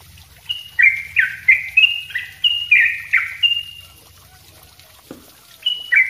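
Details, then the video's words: Sooty-headed bulbul singing steadily as a training model for other birds: rapid whistled notes stepping up and down, about eight in a burst, then a gap with a faint click before two more notes; low hum behind. "suara trucuk ropell rapat gacor bagus buat masteran"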